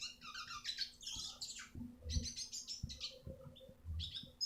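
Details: Eurasian siskin singing as a tutor recording for other birds: short bursts of quick twittering and buzzy trills separated by brief gaps, over low knocking and humming background noise.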